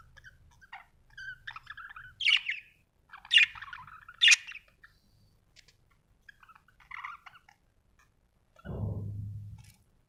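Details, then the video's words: Cheerful budgie giving bursts of buzzy, scratchy warbling and quick chirps, three louder harsh notes close together near the start, softer chatter after, then a dull low thump near the end. "happy budgie chirping sound"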